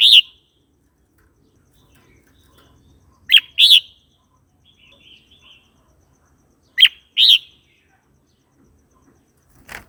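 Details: Red-whiskered bulbul singing, a recording used to tutor young birds and provoke others: brief clear two-note whistled phrases, the second note fuller, repeated about every three and a half seconds.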